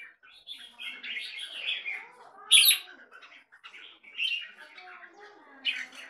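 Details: Red-whiskered bulbul, kept in captivity, singing mellow warbled phrases with one sharp, loud high note midway, then softer chattering notes trailing off.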